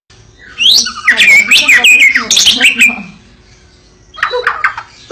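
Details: Fighting-type white-rumped shama of the Medan form, singing a loud, rich phrase of sweeping whistles and rapid notes, then a short burst of chatter after a pause, with a person speaking faintly afterwards.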